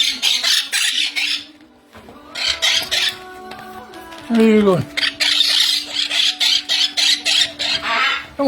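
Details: Baby monk parakeets wanting food give harsh, raspy begging squawks in quick repeated bursts, with one descending squeal, over background music and a person talking.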